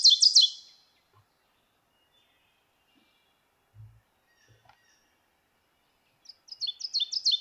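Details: Ovenbird, a Kentucky spring migrant, sings a fast series of high, ringing two-syllable phrases, teacher-teacher-teacher, starting mild and growing very loud toward the end, with a quiet pause between songs.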